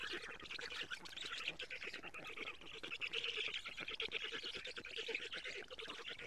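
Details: Nest camera in Estonia, 14 June 2017, early morning: black stork young as the mother arrives with lampreys. Continuous wheezy, scratchy calling with a steady low ticking beat throughout.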